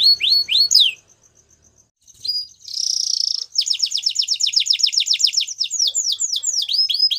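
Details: Belgian canary singing: quick downslurred whistles, a pause with faint ticking, a buzzy trill, then a long rapid series of sweeping notes repeated several per second, ending in rising and falling slurs.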